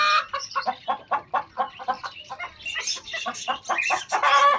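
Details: Pet hens meeting pet chicks: a hen gives a steady run of short, throaty clucks roughly four per second, rising into louder, harsher notes near the end, with high chick peeps faint behind.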